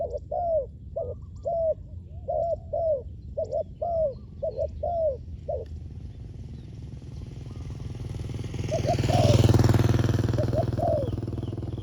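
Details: Spotted dove used for luring wild doves, with rapid repeated hollow coos for the first six seconds. A passing motorcycle then swells into a loud roar, and a few fainter coos continue beneath it.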